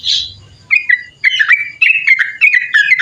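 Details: Sooty-headed bulbul in energetic 'ropel panjang' song for training and luring birds. A harsh opening note gives way to a steady stream of chattering, warbled whistles delivered almost without pause.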